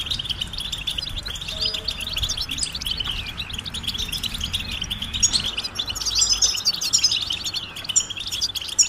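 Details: Flock-like twittering of European goldfinches, presented as mating calls to excite males into song; dense high chips and warbled trill fragments overlap steadily, growing slightly livelier toward the end, with quiet low hum.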